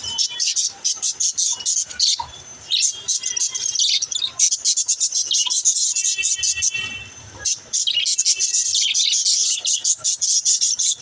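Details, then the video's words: Budgerigars chirping, kept as pets, offered to help lonely budgies chirp: continuous busy high-pitched chatter of twittering notes and short buzzy warbles, briefly dropping away near the middle before resuming. "Help lonely budgies to chirp"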